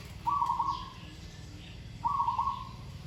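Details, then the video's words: Training Zebra dove delivers two quick, bubbling, trilled coo phrases about two seconds apart, each fading into a short drawn-out tail, over low rumbling background noise. "นกเขาชวาฝึกต่อ เสียงเพราะๆ เดินกลอนดีๆ"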